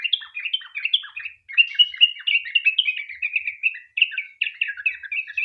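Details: Sooty-headed bulbul singing a long continuous chattering song, a lure for drawing other bulbuls into song: rapid rolling runs of clear, slurred notes with only one short break.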